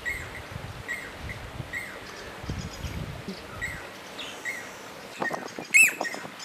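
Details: A male southern masked weaver building its nest at Mopani Rest Camp, Kruger National Park, November 2010, gives thin high chips roughly once a second, then a sudden loud, buzzy, swizzling chatter; low wind rumble early on.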